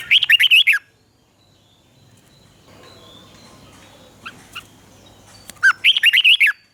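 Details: Caged red-whiskered bulbul from Thailand in southern master-style phrasing, played to excite birds and teach young ones: two bursts of rich, warbled, bouncing whistles, each under a second, separated by about five seconds of near quiet.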